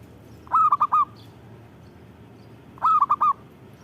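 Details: Zebra dove singing energetically, delivering two phrases of four rapid, bubbling coos each, separated by roughly two seconds of near silence with a low hum.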